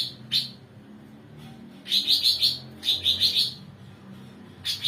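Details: Bulbul known locally as cucak ranting singing 'mbeset nembak' as a tutor for songbirds; an isolated sharp chirp, then two quick series of bright repeated high notes and a final chirp, with soft low hum behind.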